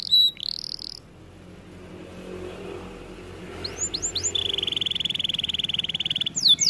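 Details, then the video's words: Canary training song: one high whistled note, a quiet stretch of several seconds, then a few sweeping chirps and a rapid, buzzy trill lasting about two seconds. "Melodies Canary bird song | Training video"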